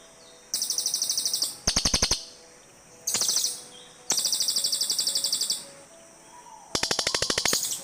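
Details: Several cililin birds answer one another with bursts of fast, high, buzzy chattering trills, some long and rolling, others short and clipped, following closely one after another.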